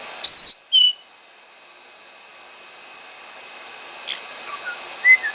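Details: Two pet white-bellied parrots being warmed under a hair dryer after a bath give short, sharp whistled notes, a high clear one then a lower one, with more faint chirps later over the steady hiss of the dryer.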